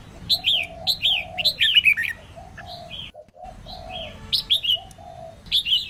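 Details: Female red-whiskered bulbul singing to stimulate males: bright warbled whistles repeated in bursts, accompanied throughout by lower, soft, drawn-out cooing notes from another bird.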